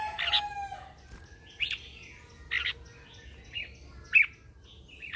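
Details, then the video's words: Lure red-whiskered bulbul singing in the morning to draw other bulbuls and spur them to sing: loud, separate chirpy bursts repeated roughly every second, rising and falling sharply. "Luyện giọng cho chào mào hót sáng căng lửa kích chim mộc hót siêu hay, Chào mào mồi hót gọi bổi"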